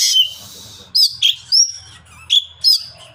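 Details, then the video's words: Oriental magpie-robin song meant to provoke other birds into answering: a buzzy rasp, then short loud whistled notes, some rising and some sliding down, given in uneven bursts over a faint low hum. "KACER GANCOR CARI LAWAN.DI JAMIN BURUNG ANDA NYAUT."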